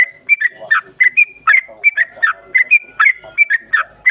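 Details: Yellow-vented bulbul giving its 'ropel panjang' song, a long rolling series of quick whistled chirps alternating high slurred notes and lower dipping ones in a steady, slightly uneven rhythm.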